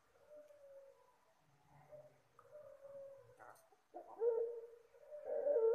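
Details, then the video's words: Puter Pelung dove, soft luring call: quiet level coos at first, then louder, fuller cooing notes near the end, with a faint low rumble behind. "suara burung Puter Pelung lembut"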